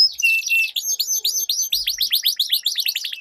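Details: Two canaries in a song duel: a buzzy opening roll, then a steady stream of quick, sharply falling high notes repeated several times a second.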